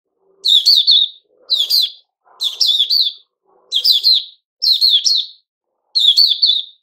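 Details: Caged white-crowned shama during its new-feather season, recorded 6 September 2021, giving six short phrases of fast, sharp chirps, each phrase lasting under a second and separated by brief silences.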